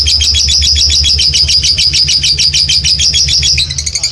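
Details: Lovebird kept in a cage giving a long trilling call: a fast, steady, high buzzy trill with even pulses throughout, shifting slightly at the end, over a low hum.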